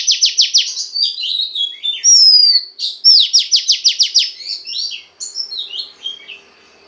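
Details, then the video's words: Song of a female Oriental magpie-robin meant to stimulate the male: opens with rapid repeated downslurred strokes, then whistled slides and a second fast burst of about ten strokes, fading into softer chatter. "Choè than mái kích trống hay nhất"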